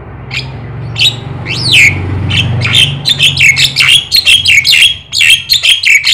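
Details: A loud black-winged starling sings to get other birds singing. It starts with sharp whistled notes, then gives a rapid string of scratchy, downslurred chirps over a low background hum.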